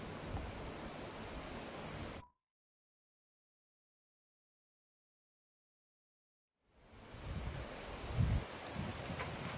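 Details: Firecrest song in Oslo on 5 July 2019: a quick two-second run of very high, thin notes, then a silent gap, with low rumbling wind or distant traffic in the background.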